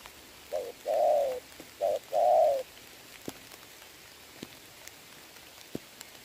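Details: Spotted dove decoy bird cooing in the rain on 26 November 2022, answered by a wild dove: two paired coo phrases, short then long, over steady rain patter and scattered drips.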